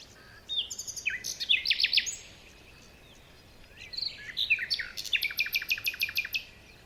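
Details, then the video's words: Birds chirping on a forest morning: bursts of bright, high chirps and quick trilled notes, a rapid run of ticking elements near the end, over faint steady background hiss. "Morning birds chirping sounds"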